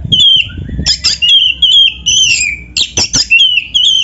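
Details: Kacer, the black-breasted oriental magpie-robin, in full song laced with canary fills, used as a lure for other birds: clear high whistled phrases, slurred and sliding, broken by sharp clicks, in quick bursts.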